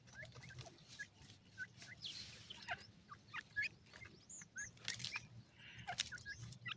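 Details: Grey francolin chicks from Pakistan, feeding and playing, give short, thin upslurred peeps scattered irregularly through the clip, with clicking and rustling noises between them and a low steady hum beneath.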